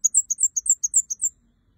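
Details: Red-headed kemade in lively, full song: a rapid run of about eleven high, sharp chirped notes alternating between two pitches, roughly eight per second, ending abruptly after a second and a quarter, with a clean background.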